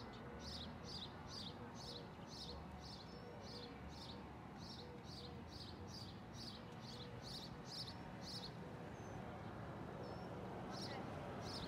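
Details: Feral parakeets in Arizona, where flocks arrive each year, chirping: a quick run of sharp, high chirps repeated about every half second, with a few softer, thinner notes and a low steady background hum.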